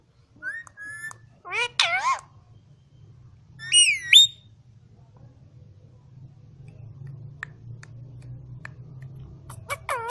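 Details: Ring-necked parakeet, green, kept in Quetta, mimicking speech: short whistled notes and a quick speech-like warble in the first seconds, a pair of rising whistles, then a long low hum before a final sharp chattering phrase.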